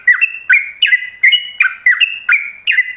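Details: Yellow-vented bulbul singing a ropelan song for other bulbuls to learn: crisp two-part whistled notes, a sharp slur followed by a level tone, delivered steadily about three times per second in a clean recording.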